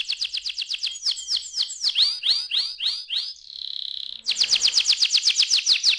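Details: Young canary: a quick high trill, then a series of looping whistled notes swooping down and up, a short flat buzzy tone, and finally another loud, fast, even trill.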